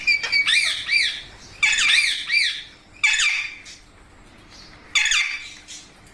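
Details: Indian parrot giving natural calls; four harsh rising-falling screeches, each followed by quieter pauses, repeated at uneven intervals of one to two seconds.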